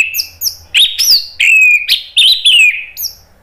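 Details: Orange-headed thrush delivering a continuous ngeplong song intended to prompt other birds to sing back. Loud slurred whistles that fall and rise, interleaved with thin high chirps, almost without pause.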